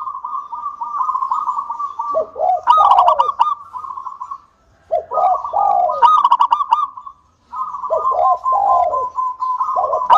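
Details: Lure song of a local zebra dove used to get other doves singing, heard as three long bursts of steady rolling coos with dipping notes, each ending in a clipped trill, brief silences between phrases.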